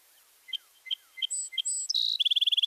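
Song Sparrow song: a few bright, evenly spaced introductory notes, then high buzzy phrases, ending in a fast trill of about ten sharp notes.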